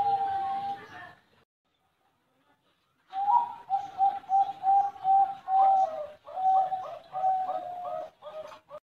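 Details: Captive Bangkok-type zebra dove at a bird farm in Buleleng, Bali, Indonesia, singing a series of soft, mellow coos at a steady pitch, quickening into bubbling repeated notes. The song follows a brief pause after a noisy start.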